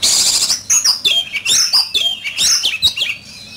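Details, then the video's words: Loud, close oriental magpie-robin in a singing fight, giving vigorous high whistled phrases and sharp squeaky chirps in quick, pulsing bursts. "Chòe Than,Bộ Đẹp,Hót Đấu Căng Lửa."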